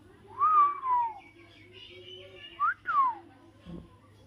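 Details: Talking parrot eating chilli whistles a series of falling slurred notes, a long pair, then after a pause a quick rising note and a falling one, with a faint low hum beneath.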